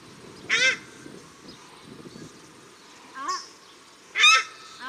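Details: Paradise shelduck male and female calling at Cornwall Park, Auckland, New Zealand: three strident honks, a loud one, a softer upswept one, then a loud final call, with low rumble and hiss behind.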